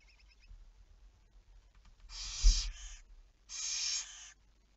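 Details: Barn owl recorded at 23:34 on 11 May 2019: two harsh, noisy screeches, each about 0.8 seconds long and about 1.5 seconds apart, with a low thump and faint ticking sounds.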